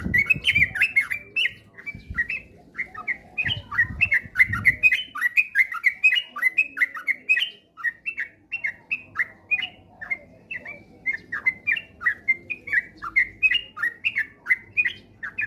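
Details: Lively sooty-headed bulbul singing, used as a prompt to make others sing often and fast ('ropel'): an unbroken chain of short bright whistles and chirps repeated several times a second, with low thumping knocks during the first five seconds.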